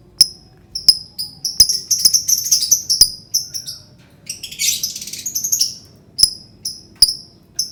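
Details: Lovebird song played to provoke other birds: a long chain of high, sharp chirps in quick series, a harsh twittering burst midway, then spaced single chirps.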